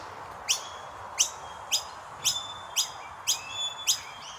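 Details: Common myna chicks chirping while parents feed them; sharp, high, slurred chirps repeated roughly every two-thirds of a second, about seven in a row, with faint thin whistles between over a steady hum.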